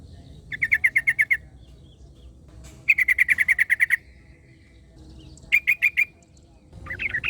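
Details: Wild yellow-vented bulbul singing, answered by another bulbul: three short bursts of rapid, evenly repeated bright chirps, each under a second, separated by pauses, with a fourth burst starting at the end.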